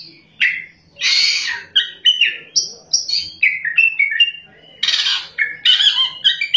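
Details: Oriental magpie-robin in full rolling song, pouring out a rapid, varied song of clear high whistles and slurred notes, broken by two loud harsh, scratchy bursts.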